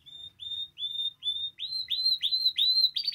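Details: Spanish timbrado canary song used for song training, opening with spaced, clear whistled notes that quicken into faster, rising buzzy syllables in a steady series.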